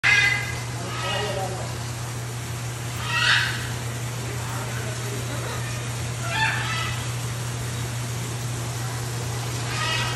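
Scarlet macaw giving harsh, raspy squawks about every three seconds over a steady low electrical hum.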